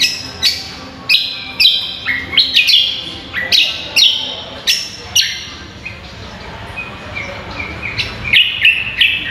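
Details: Training recording for songbird contests of a common green magpie (cucak kombo) in full song: crisp whistled notes and quick slurred chirps in uneven bursts, a quieter pause midway, then rapid notes resuming near the end.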